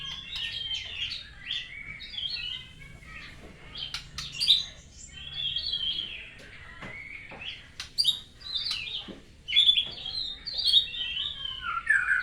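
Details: White-rumped shama learning new sounds after finishing its moult: a long, varied flow of rich whistles, trills and quick slurred phrases, shifting pitch constantly, with occasional sharp high notes.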